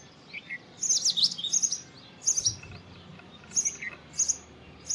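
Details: Indian robin song of sharp, high twittering phrases, a few quick notes per burst, repeated with short gaps; a lower downslurred note sounds early on; quiet background.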